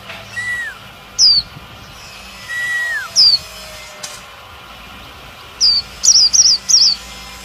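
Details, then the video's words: Female Oriental white-eye calls used to fire up a male: sharp, very high descending notes, ending in a quick run of three wavering notes, mixed with two lower drawn-out arched whistles and a faint hum. "Chúa khuyên mái - khuyên mái kích trống siêu líu"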